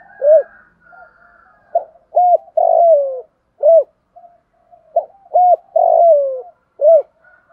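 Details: Decoy spotted dove calling to draw in and excite other doves: two low four-note coo phrases, each with a drawn-out falling middle coo, with a faint higher whistle in the background.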